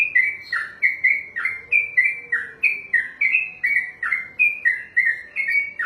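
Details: Yellow-vented bulbul, locally trucukan, in 'ropelan' song: brisk, rolling whistled notes that dip and rise, strung together steadily at about two to three per second, clear and loud.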